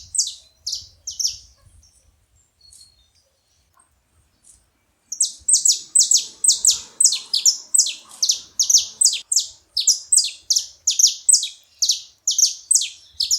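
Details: Saffron finch at a feeding spot: a few scattered high chips, a pause of near silence, then a fast, sustained burst of sharp descending notes around two per second.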